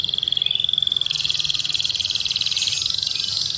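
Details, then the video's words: Canary singing with a fill imitating the bar-winged prinia (ciblek) in the rolling ngebrem style, delivering fast tight bursts: a continuous, high, buzzy pulsed trill held steadily for nearly four seconds. "KENARI GACOR!!! isian ciblek ngebrem"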